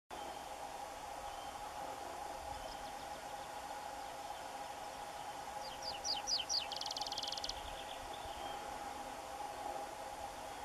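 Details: Tree pipit recorded during a 2021 common bird monitoring survey, first visit, gives one short high song phrase: a few quick falling notes running into a dry buzzy trill, over a steady low rumble of wind or distant traffic.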